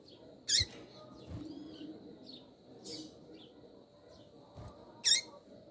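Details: A female double-collared seedeater calls to excite a male with two loud, piercing high chips nearly five seconds apart. Softer, faint notes are scattered between them.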